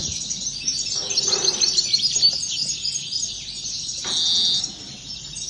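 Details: Several European goldfinches sing together in a dense high twittering chorus of rapid overlapping chirps and trills, with a brief louder buzzy burst near the end.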